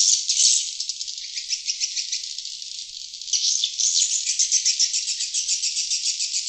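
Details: High, rasping swiftlet chatter meant to lure wild birds, in rapid pulses about two and a half per second, quieter in the middle stretch and louder later.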